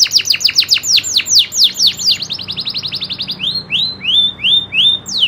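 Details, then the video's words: Kenari loper, a local canary, delivering its nembak ngerol song: a rapid run of sharp descending sweeps blending into a fast rattling trill, then slower, evenly spaced rising whistled notes about twice a second. Nothing else audible. "kenari loper suara asli nembak ngerolll"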